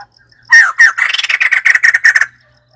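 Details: A white-crested laughingthrush bursts into rapid, loud, chattering laughter, two strong opening notes followed by a fast stuttering series of harsh cackles lasting almost two seconds.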